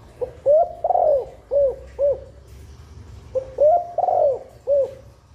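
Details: Female spotted dove calling to stimulate nesting, said to help females lay sooner and rouse males; two low cooing phrases, each a few short rising-falling coos around a longer warbled coo, separated by a pause, in a quiet setting.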